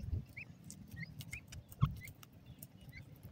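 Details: Golden ringneck pheasant chicks peeping: brief thin upslurred cheeps spaced unevenly, one louder knock near the middle, with steady low rumble and patter underneath.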